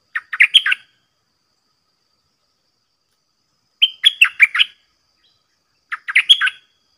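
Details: Red-whiskered bulbul, a caged bird singing against wild birds that readily come to fight, repeating three quick phrases of bright, jumbled whistled notes, spaced about three and two seconds apart.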